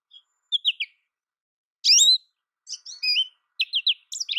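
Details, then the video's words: Short, varied twitters from an American goldfinch: a rising trio of chirps, a drawn-out slurred squeal, wavering whistled notes, then quick repeated chips. "American goldfinch Bird Sound, Bird Song, Bird Call Bird Calling Chirps, Birds Chirping Melody"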